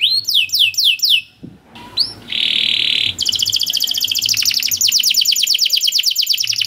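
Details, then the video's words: Canary long cuit cuit masteran, a song recording used to train young canaries. It has high descending chirps, a short gap, a buzzy flat section, then a long, rapid, rolling trill. "Long Cuit Cuit Canary Masteran For Early Childhood Canary Baits to Sound Quickly || Voice of Canary"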